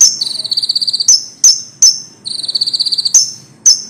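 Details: Loud common iora song, kept as a tutor for songbirds: two long, even, high-pitched pulsed trills, each followed by sharp whistled notes repeated about every half second.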